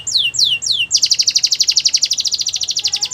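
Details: Belgian canary singing a song for training young canaries: three falling swooping notes, then a very rapid, even, bright trill lasting over two seconds.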